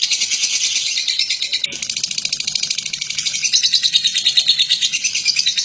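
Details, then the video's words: Long ngekek from a lovebird of the Batman variety, meant as a tutor recording: rapid, scratchy high-pitched chatter running without a break, growing a little louder toward the close. "Burung Lovebird BATMAN ngekek PANJANG"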